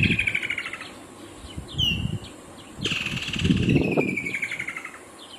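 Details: Woodland kingfisher giving two long rattling trills, each pulsed and gently falling in pitch, the second introduced by a sharp opening note, with low rumbling noise beneath.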